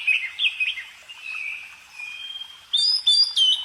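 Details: Bird song: high whistled notes wavering near the top, slurred phrases and a long thin held whistle, then loud bright rising and falling notes in the last second.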